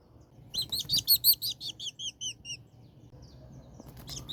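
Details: Tropical kingbird in Colombia giving a rapid twittering series of about ten high, sharp chirped notes. They rise in loudness, then fade and drop slightly in pitch. Fainter chirps follow, over a soft low rumble.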